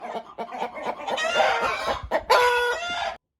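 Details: Roosters and hens: soft rhythmic clucking builds into loud, drawn-out harmonic crowing calls, with one strong final call near the end.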